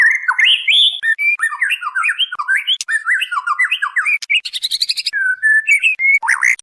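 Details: White-rumped shama female calling to a male, used as a lure master: rapid run of jumbled whistled notes rising and falling, followed by a rasping buzzy stretch, then a few sustained whistles at the end.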